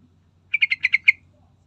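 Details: Lure recording of a Sooty-headed bulbul to prompt others to sing: one quick burst of six rough, evenly spaced chattering notes lasting about half a second, with a faint low hum behind.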